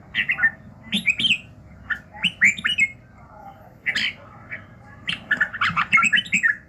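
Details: Red-whiskered bulbul in morning voice training, giving rapid series of bright chirpy warbles, some phrases rising then falling, with brief pauses between groups.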